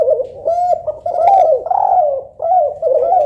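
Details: Spotted dove cooing, local tekukur compared with Kelantan derkuku for a soft, melodious voice: continuous low mellow coo notes, short arched notes leading into a longer rolling coo, then more short coos.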